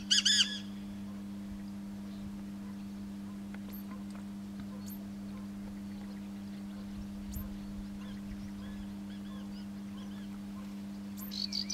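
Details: Black francolin calling from the roof of a farm building in fields of moshav HaZor'im, Yavne'el valley, Israel, February 2013: a loud, harsh, grating burst at the start, answered by another francolin at the end, over a steady low mechanical hum.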